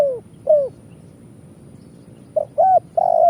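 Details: Spotted dove (tekukur) 'kuk 1' coo for luring birds to traps: two hooked notes, a pause, then two short notes and a long flat coo, clean background.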